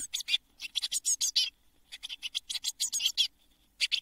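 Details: Nestling Eurasian blue tits, seven in a nest box before fledging on Midsummer 2022: two runs of rapid buzzy chirps, then a pause and a final short pair of notes.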